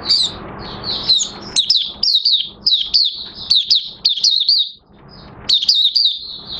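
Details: Mata Puteh Raja, the Oriental white-eye, beginning song on 30 August 2022, new white feathers almost fully pigmented; repeated short bursts of thin, downslurred high chirps, a quiet pause midway, then a fresh run of twittering.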